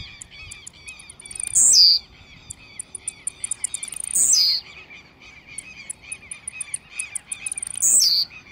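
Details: Blue-black grassquit singing aggressively: a loud, buzzy, descending note that drops from very high to high pitch, given about every three seconds. Faint, high, clicking chirps from other birds fill the gaps.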